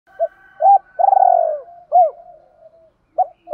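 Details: Male and female spotted doves calling to provoke a rival: two short hooked coos, a long rolling vibrato coo, another hooked coo, then soft trailing notes and two final clipped coos, with a faint higher bird note behind.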